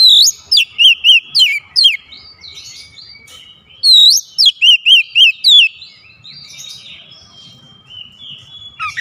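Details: Oriental magpie-robin singing mimicked fill phrases: two fast runs of loud, looping whistled notes, around five to six notes each, followed by quieter drawn-out high whistles.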